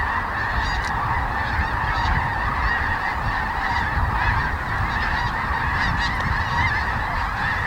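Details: Massed flight calling of sandhill cranes flying overhead in the dark before sunrise after leaving their Platte River roost at Kearney, Nebraska, during migration: a continuous wall of rattling, bugling voices with a few nearer calls standing out, and a deep rumble beneath.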